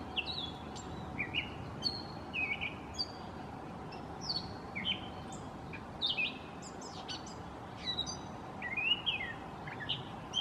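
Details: Mimicking in the manner of a mockingbird, a gray catbird strings together a long run of jumbled chirps, slurred whistles and scratchy notes, each phrase different, with constant low outdoor noise underneath.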